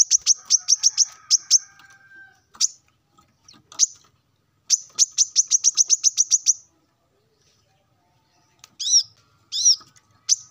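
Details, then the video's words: A male plain-throated sunbird sings in the morning to call rivals, giving two fast bursts of sharp high chips separated by a few lone notes, then two brief arched, slurred whistled notes after a short silence. "kolibri kelapa manapun pasti ikut nyaut dengar suara ini"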